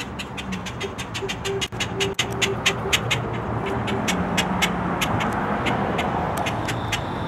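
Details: Boat-tailed grackle on May 4, 2023, calling while guarding something: a steady run of dry, clicking chack notes, roughly two each second, over a low engine hum.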